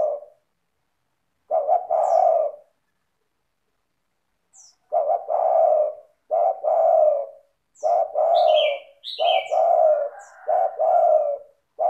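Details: Spotted dove (tekukur) in vigorous song, used as a lure to prompt other doves to sing: repeated low cooing phrases, each two quick clipped notes then a long mellow falling coo, about eight phrases, with high thin chirps from another bird.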